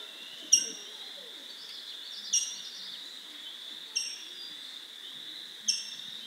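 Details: Rose-breasted grosbeak (Pheucticus ludovicianus) giving its distinctive call note, four sharp, squeaky 'eek' notes a couple of seconds apart over a steady high hum of insects; a common spring backyard bird of the central and eastern United States.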